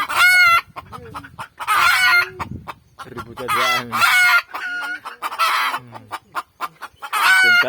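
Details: Red junglefowl calling near a garden where food is being cooked: loud, harmonic, strained squawking notes repeated in bursts of roughly half a second, with quieter lower clucks and voices in between.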